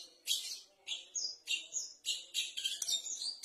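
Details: White-rumped shama practising its song: a series of high, clear whistled phrases and chirps, some sliding and some sharp, about one phrase every half second, fairly faint.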